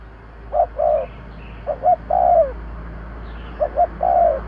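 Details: Spotted dove call meant to lure birds: three phrases of paired short hoots and a long, gently falling coo, over steady background hiss and low hum.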